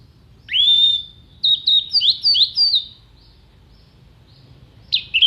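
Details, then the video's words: Orange-headed thrush singing sharp, clear mimicry song for songbird contests: a long rising whistle, then a run of five quick descending slurred notes, a pause, and another loud phrase starting at the end. "MASTERAN ANIS MERAH GACOR FULL ISIAN TEMBAKAN TAJAM VOKAL JERNIH DURASI PANJANG ISIAN BURUNG LOMBA"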